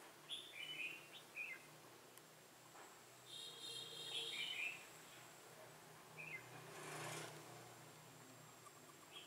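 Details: A caged decoy red-whiskered bulbul calls wild bulbuls toward a trap on 15 November 2017. Several short whistled and warbled phrases come at irregular intervals, one drawn out longer, over soft rustling, a low hum and a brief noisy burst.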